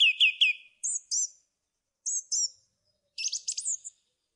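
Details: Singing song thrush repeating itself: three identical falling notes, then two high slurred notes twice, a matching high pair, and a closing burst of tangled rising notes.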